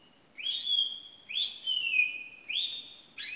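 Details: A pet canary sings drawn-out, high whistled notes that rise sharply, then level and sink slowly over about a second, three in a row before a burst of quicker notes.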